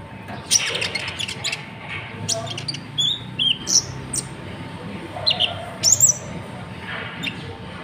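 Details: Natuna konin, a kolibri ninja used as a master for training birds, giving its typical voice: high, thin whistled notes and quick upward-sliding chirps in short bursts every second or so, with a low hum beneath.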